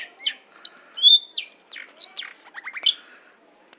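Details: Long-tailed shrike song of varied whistled slurs and chirps, including a clear drawn-out whistle and a few quick descending notes.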